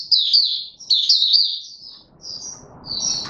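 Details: Male white-eye in opening song on 31 December 2021: two bright bursts of fast, high slurred twittering followed by thinner, quieter whistles over faint background noise.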